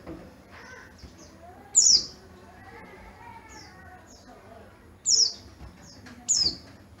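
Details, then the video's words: A yellow-breasted Oriental white-eye from Garut, Java, noted for a loud, crystal voice. Three bright, piercing, high chirps are spaced several seconds apart, with faint softer notes between them. "Burung Pleci Dakun Garut Raja Jawa"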